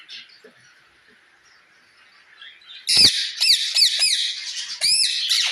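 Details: Parrot calling another parrot: after a quiet start, a rapid series of loud, harsh squawks with sharp rising onsets, roughly two per second, briefly pausing before resuming.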